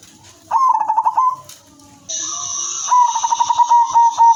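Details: Female silver zebra dove, used as a lure for other zebra doves, gives two rapid staccato cooing phrases of quick pulsed notes, separated by a pause. A steady hissing sound fills the gap between the phrases.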